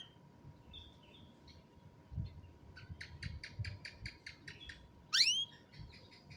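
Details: Canary recorded on a mobile phone: a few soft whistled notes, then a quick regular series of clicking, buzzy notes and one loud swooping whistle, over a faint steady hum.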